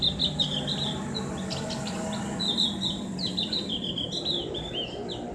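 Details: Javan grey-throated white-eye (cak gentong) in ngriwik therapy song, clear ngeplong style. Thin high whistled phrases, some rising and some falling, sit over a constant droning background noise.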